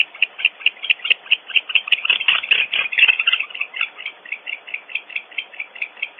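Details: Barn owls at a nest cavity on Audubon Starr Ranch, California, more than one owl cleaking during an intruder episode: rapid series of short, harsh, squawky notes, roughly two per second, swelling then easing, with brief busier overlapping bursts mid-sequence.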